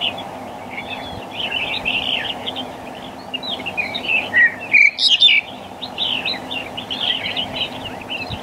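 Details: Black-collared starling calling: a busy stream of chattering, squeaky and whistled notes, some harsh, with a louder burst of sharp notes midway, over a low steady background hum.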